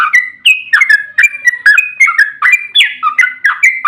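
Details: Yellow-vented bulbul singing energetically in 'ropel' style as a lure for other bulbuls: quick, liquid whistled phrases of rising and dropping slurs, tightly packed and varied in pitch, with no pauses.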